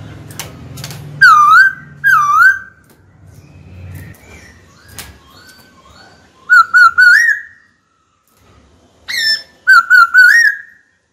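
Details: Caged white-cheeked laughingthrush singing to call a rival to fight: two loud dipping whistles, a quiet stretch with faint clicks, then two groups of three or four quick wavering whistled notes.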